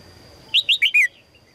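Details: One quick phrase from a female red-whiskered bulbul calling for a strong male: four sharp, descending whistled notes delivered in about half a second, loud against faint background noise.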